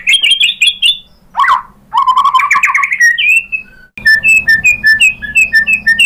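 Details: Provoking song of a White-rumped shama: quick high whistled notes, a sweeping downward slur, a rich rising run of trilled whistles, then a steady string of evenly spaced sharp chirps.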